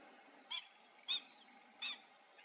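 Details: Iberian grey shrike at Arrocampo, Saucedilla, Extremadura, Spain, giving three short, harsh, rasping notes spaced irregularly about half a second apart, over a steady high-pitched background hum.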